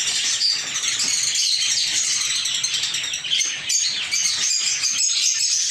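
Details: Caged lovebirds in a little backyard aviary keep up a steady wall of shrill, overlapping chirps and chatter with hardly a pause.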